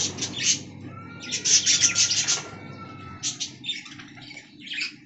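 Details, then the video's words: Caged budgerigars in an aviary colony: short bright chirps in quick clusters, a run of rapid tweets, then scattered scratchy warbles, over a steady low hum. "Budgie Talking Compilation"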